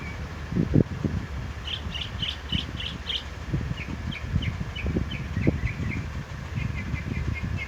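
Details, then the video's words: Northern mockingbird, a mimic of other birds, singing in a pear tree at Salinas, California; quick repeated chirp phrases shifting from higher clustered notes to lower descending series, with low rumbling noise throughout. "Sounds of Mockingbird"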